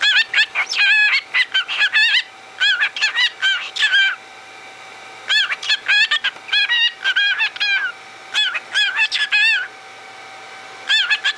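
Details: A pet cockatiel rambles, chattering in quick bursts of bright, warbling, rising and falling notes.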